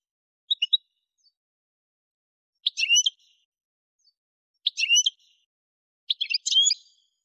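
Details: Algerian goldfinch, Souk Ahras region, Algeria: short separate bursts of high twittering notes every one to two seconds, with quiet pauses between them.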